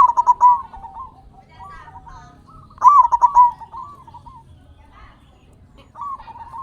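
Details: Zebra dove of a local strain, loud and vocal, used to coax other doves into singing; two bold rippling coo phrases, with softer wavering coos before and after.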